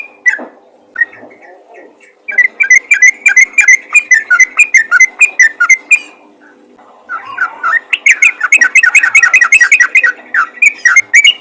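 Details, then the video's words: Yellow-vented bulbul calling to others of its kind: a few scattered notes, then two long bursts of rapid, bubbling whistled phrases, rising and falling, separated by a brief quiet gap near the middle. "panggilan burung trucukan ropel gacor memanggil trucukan lain"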